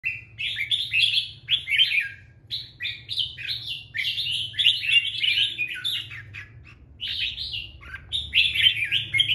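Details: Male red-whiskered bulbul singing to attract a female, recorded 24 January 2024: bright, chattering bursts of quick warbled and whistled notes, pouring out in rapid phrases with brief pauses, over a low steady hum.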